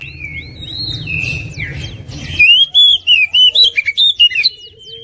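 Oriental magpie-robin pours out loud, varied whistled phrases, sharp slurred notes rising and falling rapidly, after a softer start over a low background rumble.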